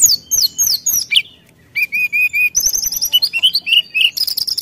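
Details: Brown-chested jungle flycatcher singing vigorously to provoke rivals: a rapid mix of high whistled notes, sliding downward phrases and short repeated chirps, with a brief pause midway before the varied phrases resume.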